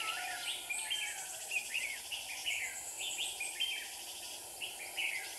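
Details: Decoy red-whiskered bulbuls singing in a trap in Hòa Bình, Vietnam, to draw in wild birds: dense, busy run of short whistled and chirped phrases, near-continuous, against a constant background hiss.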